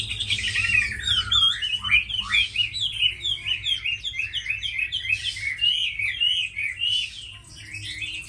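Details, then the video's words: Tamed hwamei, noted as a strong fighter and good singer, giving a loud run of rapid, chopped whistled notes in a rhythmic series, tapering into softer phrases near the end, with faint low hum. "Mi thuần đấu tốt hót hay"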